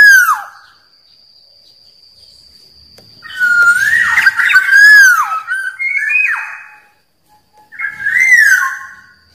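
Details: Black-naped oriole, wild, singing a rival-provoking song: a falling whistle, then a long rich phrase of rolling fluted notes with buzzy overtones, and a final shorter whistled phrase after a pause. A steady faint high tone runs beneath.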